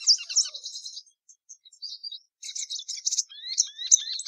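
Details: Plumbeous seedeater song in bursts: a chattering buzzy phrase, a pause with scattered soft notes, then renewed rapid chirps and sharp upslurred whistles.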